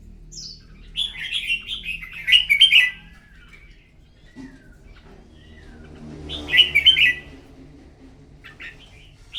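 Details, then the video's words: Morning singing-contest bulbul, red-whiskered: a chattering warbled phrase, a pause with a soft low note, then another loud bubbly warble. "Chào mào hót đấu buổi sáng kích chim hót đấu căng lửa"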